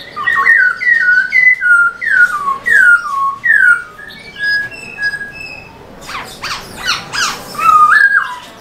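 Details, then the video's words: Kept black-throated laughingthrush singing hard while dancing with its tail, meant to excite other pet laughingthrushes: a long chain of clear, down-slurred whistles repeated every half second, then harsh scratchy squawks and a final whistled twist. "Khướu bạc má HÓT MÚA ĐUÔI cực sung kích khướu nhà bạn căng lửa"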